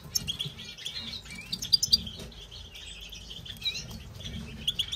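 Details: An aviary European goldfinch singing a fast, tinkling jumble of high twitters and liquid trills, with sharp chirps scattered throughout over a soft low rumble.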